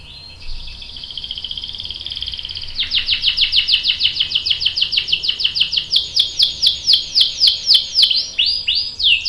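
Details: Female canary calling a male to prompt him to sing: a steady rolling trill, then a long run of sharp downslurred chirps, about four each second, growing louder.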